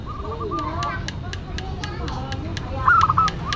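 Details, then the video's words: Local zebra dove song in a classic style: a faint soft coo at the start, then a brighter stepped cooing phrase near the end, among regular sharp clicks and low background noise. "Perkutut Lokal Gacor Suara KLASIK Dan UNIK"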